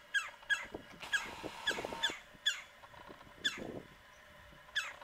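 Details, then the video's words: Woodpecker calling loudly from a tree about 45 yards away on a mid-January morning around 9 am at minus 9 degrees Fahrenheit: harsh, rolling notes, often in quick pairs, repeated irregularly over several seconds. "Woodpecker Calling On a Cold Winter Morning"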